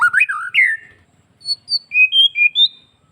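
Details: White-rumped shama of Bali type singing to get other shamas to answer; a swooping rising-falling whistled phrase, a pause, then a series of short high clear whistles.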